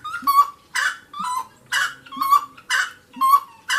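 A wood rail calls loudly, alternating a clear mid-pitched note with a harsher, ringing one, about two notes per second in a steady rhythm.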